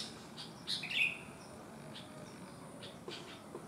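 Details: From a sooty-headed bulbul with one malformed leg that still sings well: one brief liquid warbled phrase, followed by a few faint, spaced chirps over low background hiss.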